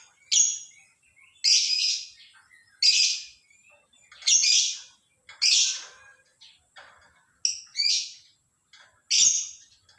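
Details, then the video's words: Lovebird in the morning uttering loud harsh squeaky screeches, about eight bursts roughly one to one and a half seconds apart, with softer chatter between. "SUARA BURUNG LOVEBIRD DI PAGI HARI"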